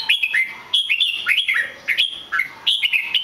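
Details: Red-whiskered bulbul delivering rapid bright whistled phrases, each a quick slurred run of rising and falling notes, repeated several times with short pauses, close and clear.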